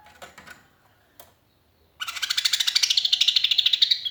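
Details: Sooty-headed bulbul, described as lonely and calling to companions, used for luring: after a few faint scattered sounds, a loud, fast series of even rasping pulses, roughly three per second-fraction, lasting two seconds.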